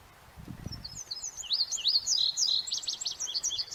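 An indigo bunting sings a bright, high run of quick paired notes that sweep up and down, after a brief low thump at the start.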